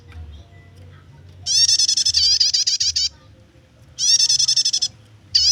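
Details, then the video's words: High, quick repeated notes of a prinia singing nyetater chatter for bird luring and song training, in bursts of roughly a second and a half with pauses between and a faint low rumble behind. "suara prenjak nyetater, cocok buat pikat/masteran burung gacoannya"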